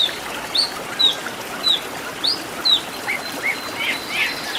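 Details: Oriental magpie-robin (kacer) master recording for training caged songbirds. Short, sharp whistled notes are spaced about one second apart, some upslurred and some downslurred, with a faint hiss behind them.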